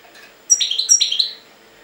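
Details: European goldfinch from Jagodina giving two quick twittering bursts, each a bright high note followed by slurred, slightly buzzy chirps, in a quiet indoor space with a faint low hum.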